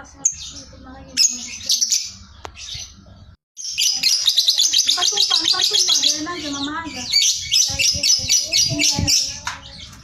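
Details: Sooty-headed bulbul in a long ngekek chatter: scattered high chirps, a brief gap, then a loud, fast, continuous run of buzzy, harsh notes with some lower rough squawks mixed in, tailing into shorter bursts.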